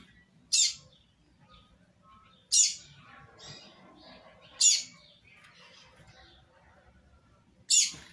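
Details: Double-collared seedeater recorded live, a 'tui tui zel zel' song style used to tutor young birds: short sharp high chirps repeated about every two seconds over a quiet background with faint low rumble.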